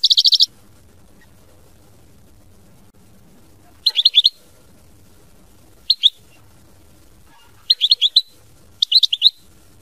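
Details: European goldfinch giving short clusters of high tinkling notes, three to five per burst, spaced every one to two seconds, against a faint low background.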